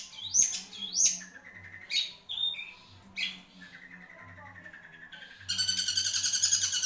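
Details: Caged long-tailed shrike singing a varied phrase: sharp rising whistled notes, short high tones and a thin sustained whistle, then a loud burst of dense buzzy chatter at the end.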